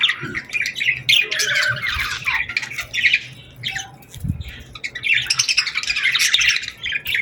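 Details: Evening birds on a summer sunset give a noisy chorus of rough, scratchy squawks and chatter in uneven surges, quieting briefly midway before a dense burst of calls returns, with an occasional low thud.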